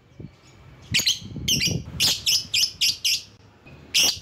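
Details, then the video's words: Lure calls of a lovebird meant to summon rivals: harsh, high squeaky chirps in a burst of about eight rapid notes, then a single loud shriek after a short gap, over soft room noise. "Burung LOVEBIRD Ampuh memanggil lawan"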